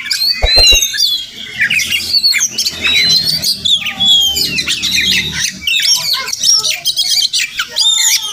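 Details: Oriental magpie-robin, locally Murai Kampung, visiting a home daily: bright whistled slurs and chirps in a steady, varied stream, with a faint low hum beneath and a few sharp knocks early on.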